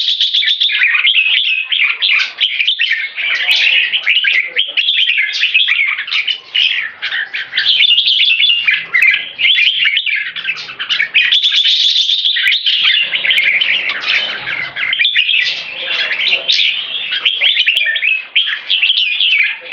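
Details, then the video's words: Two caged red-whiskered bulbuls in Singapore, aged 3.5 and about six years, both keke champions, sing against each other in a display with flared wings and tail. Long, continuous bubbling warble with rapid chattered keke phrases and few gaps. "Super Keke Sing Display (Red Whiskered Bulbul - Jambul)"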